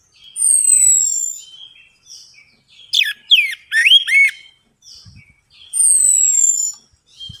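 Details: Orange-headed thrush song as a lure to stimulate singing. Long high descending whistles frame a middle run of sharp, looping sweeps, repeated about once a second, with a few faint low knocks.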